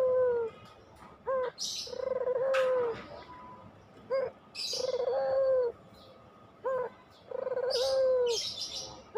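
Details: Puter pelung coos used to stimulate other doves: three long, slightly falling coos, each preceded by short rising notes, with scattered hissing and clicking noises between.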